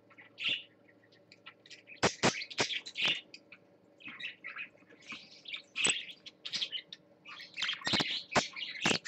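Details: Parakeet on its swings giving lively bursts of chirps and scratchy warbles with sharp clicks in between, steady low hum behind.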